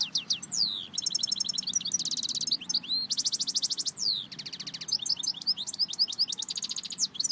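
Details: European goldfinch (Carduelis carduelis) singing a rapid, varied song of high twittering phrases, buzzy trills and sweeping whistled notes, fast repeated rattles between bursts, with no other sounds present.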